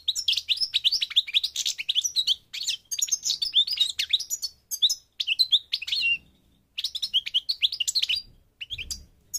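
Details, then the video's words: Moroccan parva goldfinch from North Africa delivering a fast, dense run of tinkling chirps and twangy slurred notes, nearly continuous with only brief breaks. "The Goldfinch's Song North Africa - Parva Morocco Bird Song"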